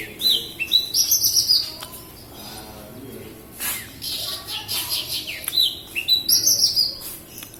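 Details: Energetic song of a local Kediri Javan bush lark from Java, with high twittering phrases, thin whistles and scratchy notes in irregular fast bursts, pausing briefly mid-phrase before resuming.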